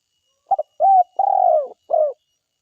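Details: Spotted dove, an energetic forest-type caller, delivering one full phrase: a quick double pip, an arched coo, a long vibrating downward coo, and a shorter closing coo. The background is quiet.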